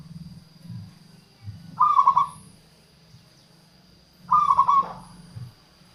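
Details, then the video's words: Local zebra dove singing, used to attract wild doves and stimulate lazy singers: two stuttered coo phrases roughly two and a half seconds apart, over a steady low hum and faint high whine. "suara perkutut lokal untuk pikat dan pancingan"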